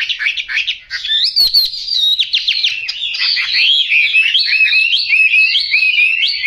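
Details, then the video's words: Loud, sustained singing from a Chinese hwamei with yellow bill and legs, quick repeated whistled notes and slurs strung together in a lively, continuous stream. "Họa mi mỏ vàng chân vàng"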